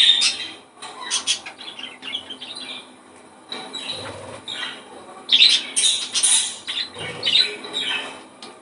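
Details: Budgerigar song used to encourage breeding: a continuous jumble of buzzy warbles, clicks and sharp squeaky chirps, rising and falling in loudness, with occasional soft low thumps.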